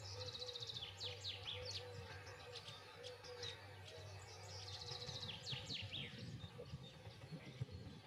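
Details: A white wagtail (Motacilla alba) calls, giving sharp, high chirps and quick downward-sweeping twitters in bursts, over a steady low hum of background noise.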